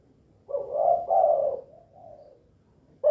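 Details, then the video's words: Vigorously calling spotted dove (tekukur), 'kuk 2' type: two strong hoarse coos, a softer trailing coo, then the start of another loud note. "SUARA BURUNG TEKUKUR KUK 2 GACOR"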